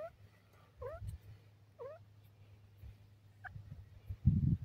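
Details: Male dakhni teetar (francolin) giving short, rising upslurred notes spaced about a second apart over a steady low hum, ending in a loud low-pitched thump.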